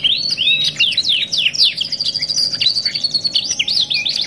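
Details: Canary delivering a dense, bubbling song of looping whistles and quick trills, followed by a sustained rattling roll, over a soft constant hum.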